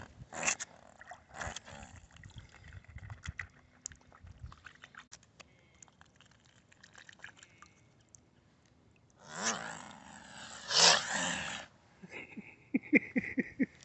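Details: A hand-fed swan, angry once the food ran out, lets out a long, harsh, rasping hiss of about two seconds, then a run of short, rapid snorts; a person coaxes it quietly beforehand.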